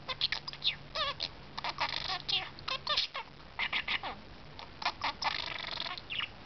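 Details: Budgerigar kept as a talking pet, giving a long run of raspy, warbling chatter with occasional rising whistles, delivered in clustered bursts with a faint low hum in the background.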